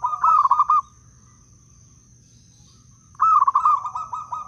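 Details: Zebra dove of Blora wild local stock, sung to lure doves and set quiet ones singing. Two long rolling coo phrases, the second drawn out over more than a second of quick stuttering beats. A faint high tone persists.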